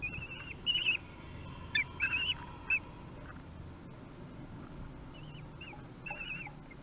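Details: At a feeding on 8 June 2021 at Théding, three-week-old common kestrel chicks utter a few short, thin wavering squeals in scattered clusters, followed by quieter lone notes, over faint background hiss.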